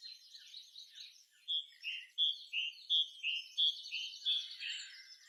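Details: Soft bird chirping in the afternoon at dusk: short clear high notes repeated roughly every two thirds of a second, over a faint background chorus of other chirping birds.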